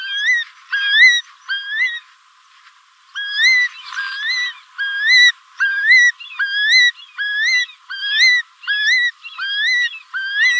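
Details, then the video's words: A curlew gives clear, rising whistled notes, roughly one per second after a brief pause, with a faint background hiss. "The Sound of Curlew"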